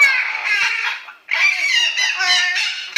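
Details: Captive yellow-naped amazon parrot indoors practising a pop song, while dogs protest; harsh, nasal, wavering vocal phrases with a short break, sung loudly close by.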